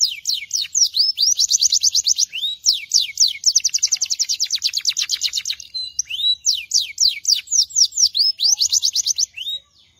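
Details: Belgian canary in steady song, alternating fast rattling trills of rapidly repeated notes with sweeping downslurred and upturned whistled phrases, high and continuous with brief pauses.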